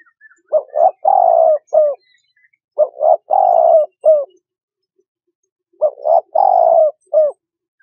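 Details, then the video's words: Spotted dove trapping lure gives three clear cooing phrases, each a stammered double coo, a long mellow falling note and a short final coo, separated by quiet pauses. "Tiếng Chim Cu Gáy"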